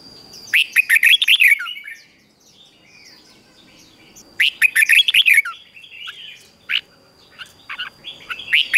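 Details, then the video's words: Red-whiskered bulbul song, used to train bulbuls to sing and to spur weak birds into voice: two bursts of loud, rich, warbled whistled notes, each about a second long, with scattered shorter chirps and faint background birds between them. "Luyện cho chào mào hót sáng | Luyện giọng chào mào hót hay kích chào mào yếu lửa ra âm"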